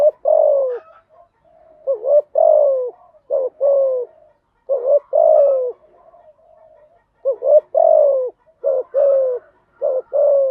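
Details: Cooing song of a spotted dove meant to prompt newly caught doves to sing; steady run of phrases, each a short double upward note and a longer sliding-down coo, closely repeated.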